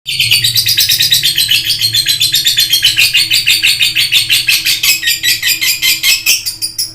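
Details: Lovebird in an energetic, non-stop chattering song: rapid buzzy chirps in a dense stream, each note pulsing about four to five times a second, with a faint steady hum underneath, indoors.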